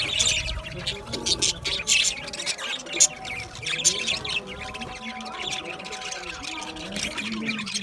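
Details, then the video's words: Aviary flock of budgies keeps up a busy stream of high, scratchy chirps and chatter, rising in short bursts then easing into softer, continuous twittering toward the end. "Budgie chirping sound | Budgie parakeet singing | Budgie aviary sound"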